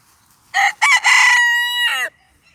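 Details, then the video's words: Cochin rooster in a park gives a single full crow of about 1.5 seconds: rough opening syllables, a strained harmonic held note, then a drop at the end. "Cochin rooster crowing"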